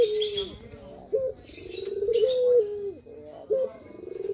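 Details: Manggung coo of a male Barbary dove, used for training a dove's confidence: a long trilled, throbbing coo that rises in loudness and falls away, then a short note starts another, with bright twittering from other birds in between.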